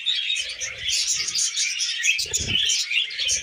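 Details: Happy budgerigars twittering in a lively high warble, quick chirps tumbling over one another, with a soft knock in the middle.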